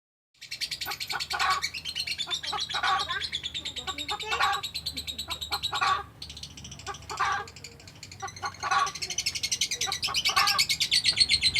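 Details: Lovebird giving a long ngekek chatter: fast, harsh, rasping notes in dense bursts with brief pauses, interspersed with lower buzzy notes; a low steady hum runs underneath.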